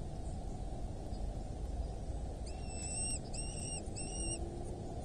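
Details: Wild Eurasian hobby at its nest in rural Dorset, England, morning of 8 July 2024: three clear, ringing, drawn-out notes in quick succession near the end, set against a constant deep background rumble.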